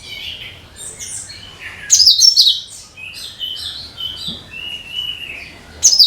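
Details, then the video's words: Cucak kinoi (bulbul) song, used to attract all kinds of birds: a run of varied high chirps and whistles, two loud bursts of rapid sharp twittering, and a steadier whistled note between them. "SUARA CUCAK KINOI BUAT PANCINGAN SEGALA JENIS BURUNG"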